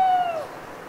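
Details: Lone owl at night in a dripping autumn wood of the Cévennes piedmont, France: brief tail of a mournful whistled hoot gliding down in pitch and fading into soft ambient noise.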